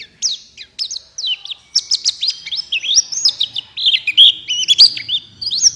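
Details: Prompting song of a buxtoni white-eye, intended to make other white-eyes open their beaks and sing. Scattered thin chirps build into a dense, energetic warbled run of high, jumpy notes.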